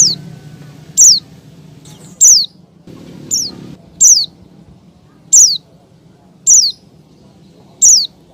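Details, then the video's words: Female Oriental white-eye summoning a male, played to prompt caged birds to sing: spaced, piercing downslurred chirps every second or so over quiet background hum. "SUARA CALL PLECI BETINA MEMANGGIL JANTAN"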